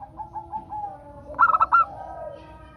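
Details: A local zebra dove sings, recorded as a prompt to make other doves sing. Gentle low cooing leads into a single burst of four fast bright notes and a final longer note.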